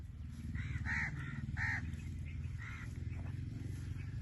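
Blue-fronted amazon giving about five harsh, nasal squawks in quick succession over three seconds, against a steady low rumble.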